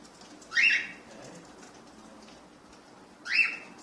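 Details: A cockatiel, one of a mating pair, gives two loud, harsh, screechy calls a few seconds apart.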